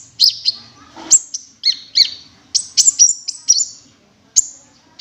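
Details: Cinereous tit lure call in wingko style: irregular sharp high chips and short whistles, some paired, with a brief burst of soft noise and a quiet gap near the end.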